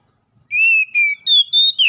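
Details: Oriental magpie-robin singing, used as therapy sound for captive birds: four loud whistled notes, the first two steady and slightly falling, then higher level notes ending in a sharp downward slur.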